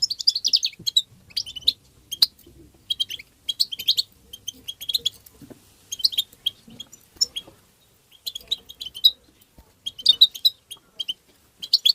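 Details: European goldfinch in tabtaba style, meant to stimulate goldfinches. Over twelve seconds, tight bursts of high, jingling twitter repeat every second or so, with brief gaps between the bursts.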